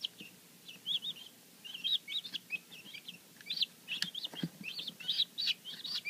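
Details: Day-old guineafowl keets from a newly hatched domestic batch: thinner, quieter high peeps, some with rising and falling inflections, spaced irregularly among brief clicks and faint rustling.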